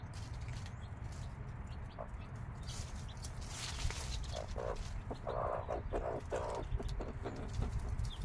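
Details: Mother hen with her 5-day-old chicks: a run of low, soft clucks in the second half, with faint high chick peeps above and a constant low rumble beneath.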